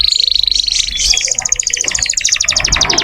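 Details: Canary in full, lively song, used as tutor audio for magpie-robins learning the 'nembak' style: a steady high whistled trill, then a fast rattling series of sharp repeated notes climbing into bright, dense chatter.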